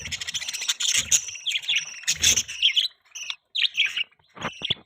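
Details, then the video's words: Pet budgerigars chirping: busy overlapping warbled chatter and sharp high tweets, dense at first, then broken into short bursts with brief silences near the end. "Budgie chirping sound|Budgies chirping sounds|Budgie bird sound|Budgies Sounds"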